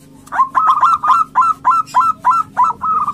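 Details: Aggressive local male zebra dove calling to court a female: a steady run of about ten short, bright, hooked notes, each with a quick upward flick, repeated roughly three times a second over a low background hum.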